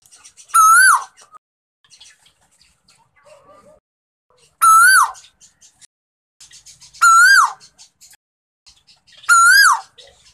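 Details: Captive male Asian koel, hand-raised after rescue as a chick in June 2020, repeating a strong rising-then-falling coo four times at uneven gaps of two to four seconds; faint small chirps fill the pauses.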